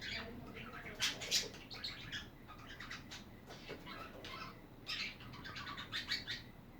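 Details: A steady stream of soft budgie warbling, busy twittering and chirps, with a couple of louder scratchy notes early on and faint background rustling.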